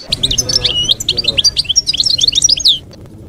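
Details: Goldfinch in 'campero' wild-style song, meant for young birds to copy during moult: a rapid, continuous stream of bright, varied twitters and short trills for nearly three seconds, then a quiet pause.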